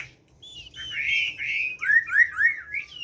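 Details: A caged Chinese hwamei sings forest-voice style, or giọng rừng: a rising, warbling run of rich whistled notes that speeds into three loud downslurred whistles and a final upward note.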